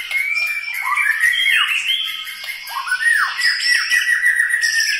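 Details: White-rumped shama, murai batu of Medan, Bahorok, Bukit Lawang, in its typical style: steady high whistled notes overlaid with fast repeated downward-swooping phrases, a dense, rippling, rapid delivery.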